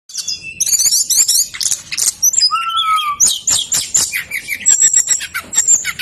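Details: Brown-chested jungle flycatcher singing persistently, a recording used to lure lazy caged birds into singing; a dense, rapid run of high trills, whistles and chattering notes with a clear, lower whistled slur near the middle.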